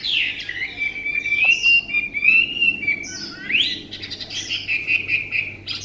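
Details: A captive Chinese hwamei sings a loud, unbroken run of rich whistles, sliding up and down with quick trills and buzzy flourishes, over a faint low hum.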